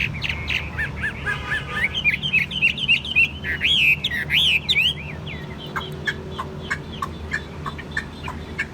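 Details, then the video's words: Chinese hwamei kept in a cage, said to sing well and be calm, delivering a rich rapid warble of looping whistled phrases for about five seconds, then sparse sharp chips over a steady low hum. "Chim hót tốt giọng hay, thuần 80% nhẹ nhàng ok ko sục ko nhảy"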